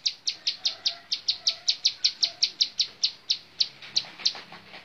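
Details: A rapid string of bright, clipped high notes from a bar-winged prinia, called 'montal mantul'. The notes come steadily about every quarter second, then space out toward the end. A faint low murmur is heard beneath.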